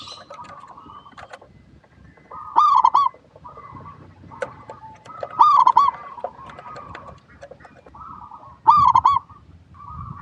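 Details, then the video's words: Zebra dove of the local perkutut type, used to prompt other doves to sing; three loud, rapid bursts of rolling coos roughly every three seconds, with softer cooing phrases filling the gaps. "PERKUTUT LOKAL GACOR PALING DISUKAI 🐦 Suara Asli Bikin Semua Perkutut Dimanapun Pasti Nyaut"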